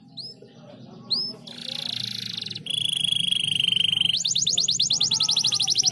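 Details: Canary song meant to make other canaries sing: high clear notes, then long buzzy trills held on one pitch, ending in a fast rapidly repeated pulsed trill, over a low background hum.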